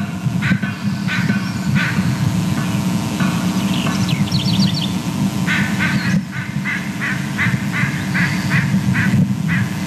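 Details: Both adult bald eagles make a bunch of calls at the nest as they mantle an item the male brought, possibly a fish: repeated harsh notes and a quick high chattering series over a steady low rumble.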